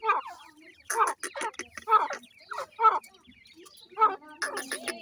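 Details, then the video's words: Young francolin, called Irani teetar, make harsh, buzzy bursts of calling, each about a quarter second long and repeated roughly once a second, with quieter chirps and scratchy noises between the bursts. "irani pheasant teetar chicks ,teetar chicks sound"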